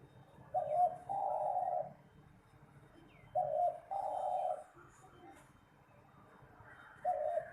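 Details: Competition spotted dove repeating its song: a short coo snapping into a longer, steady, mellow coo, three times, roughly every three seconds.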